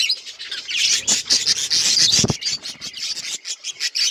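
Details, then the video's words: Budgerigars chirping together: a dense, continuous mix of buzzy warbles and sharp high chirps, with several birds calling at once and brief louder squawks near the middle. "Budgies relaxing sounds Birds chirping sounds"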